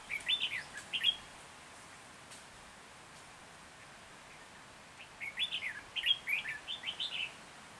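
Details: Captive decoy red-whiskered bulbul singing to attract wild bulbuls for trapping, Hòa Bình, Vietnam, 14 January 2021: a lively cluster of sweet whistled notes, a few seconds' silence, then a longer run of bouncy, chattering phrases.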